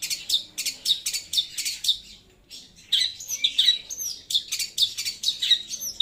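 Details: Loud, clear long-tailed shrike song: quick bursts of high, sharp chips, a short pause, then more chips mixed with thin, rising squeaks.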